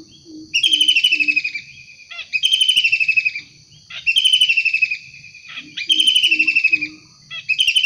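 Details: Wild long-tailed shrike, highly vocal, delivering five harsh rasping bursts about 1.5 seconds apart, each pulsed and slightly descending, with faint low notes in the background.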